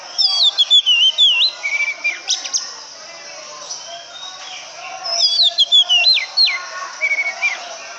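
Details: Oriental magpie-robin singing: a bright phrase of slurred, swooping whistles and quick chirps, then a pause, then a near-repeat of the phrase about five seconds later, ending in a short buzzy trill; faint background hiss.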